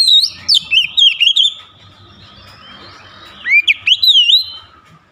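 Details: Oriental magpie-robin in full song, beak open wide, sharp punchy phrases: bursts of loud looping whistles and twisting slurs, a quiet gap with faint background, then another run of bright whistled notes.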